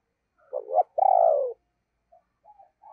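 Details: Spotted dove decoy calling in a deep, booming voice to lure wild doves: a double hooting note rising in loudness, then a long rolling coo sliding downward, and faint soft notes afterward.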